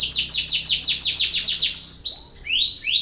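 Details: Canary in breeding condition, singing to trigger other canaries to sing: about two seconds of loud, rhythmic descending trill notes, then a run of high whistles and upward-sweeping slurs.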